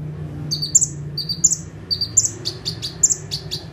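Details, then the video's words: Bar-winged prinia, locally called ciblek or prenjak tebu, singing actively in full bursts from one perch. Sharp, high chirped notes repeat about every 0.7 seconds, each a quick downslurred double note, over a low background hum. "CIBLEK / PRENJAK TEBU"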